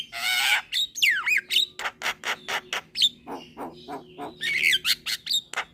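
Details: Young Javan myna singing actively while bobbing its head: a harsh rasping burst, then a swooping whistle and a rapid series of sharp clicks and short squawks, some broad and scratchy, with a faint steady hum underneath.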